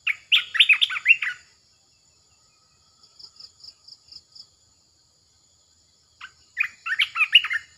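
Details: Red-eyed bulbul decoy calling used to lure birds: two bursts of short, bubbly, warbled phrases with quick up-and-down notes, separated by a few seconds of quiet. A soft, rapid insect-like pulsing is heard in between.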